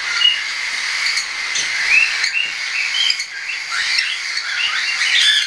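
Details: Young tame cockatiels, partly weaned, flying, 10 September 2012: clear short whistled chirps, some rising, sound over a hissy background of many birds calling together.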